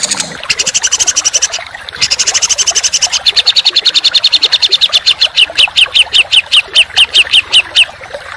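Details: Training song for contest birds with coarse, tight bursts: harsh buzzy rattles give way to a steady series of rapid sharp notes that slow into evenly spaced down-slurred chips.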